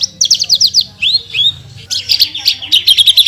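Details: Branjangan (Horsfield's bush lark) singing actively in full 'tembakan' style for a masteran tutor recording: a rapid run of high, buzzy chirps, then rising slurred whistles, then dense trilled bursts of sharp notes.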